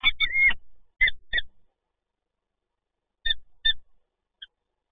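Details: Female peregrine falcon at a nest site in Toruń, Poland, recorded on 10 December 2022, giving harsh "ciok-ciok" calls: short clipped notes in pairs, a longer grating call at the start, then spaced double notes after a silence.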